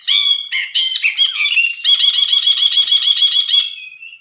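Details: Bulbul opens with loud chattering whistles, then slides into a long rhythmic rattling trill of quickly repeated notes that tapers to a thin fading whistle.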